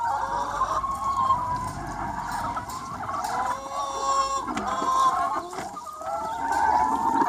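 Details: Free-range chicken flock on a sunny spring day, many birds clucking and calling at once in a dense, overlapping chorus of short mid-pitched clucks and drawn-out tonal calls, with no pause throughout.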